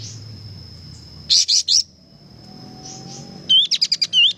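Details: Actively singing sooty-headed bulbul: three loud, harsh notes, a pause, then a rapid phrase of quick high chips framed by rising whistled slurs, with a faint steady tone behind.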